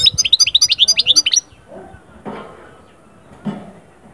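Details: European goldfinch song for lifting birds out of moult into breeding mood: a rapid run of bright, tinkling twittered notes lasting about a second and a half, then faint low knocks and background noise.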